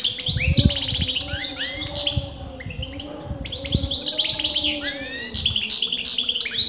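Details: Goldfinch singing continuously, its sex argued over by experienced breeders: jumbled, high twittering phrases with slurred rising notes and rattles, over a steady low hum and a few thumps.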